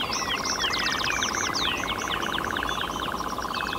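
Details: A European nightjar on heathland with flowering heather begins its song at dusk as night falls: a steady, mechanical churring trill at low-mid pitch, while other birds add varied whistled phrases above.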